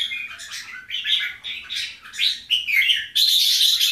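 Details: Bulbul, Keke jambul or Golden Voice jambul type, gives rapid sweeping whistled notes about every half second, ending in a sustained harsh, dense chatter.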